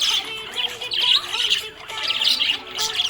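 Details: Happy budgerigar chirping in dense bursts of bright, chattering tweets and squeaks, rising and falling, with steady tonal background music underneath.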